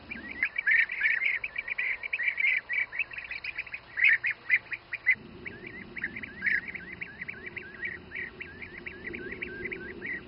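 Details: Bee-eaters feeding youngsters near Přerov, Czech Republic, keep up a steady stream of rolling, purring trills several per second, loudest around the first four seconds, with a low background murmur in the second half.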